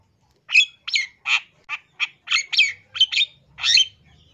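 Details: Long-tailed shrike from East Java, its song filled with borrowed phrases and meant to draw other shrikes into singing: about ten harsh, scratchy chirped notes repeated at roughly two per second, ending in a longer squawk.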